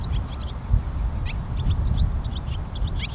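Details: Several barn swallows at Pease Tradeport, New Hampshire, twitter in quick, high chirps and short rising notes, over a steady low rumble of wind or traffic.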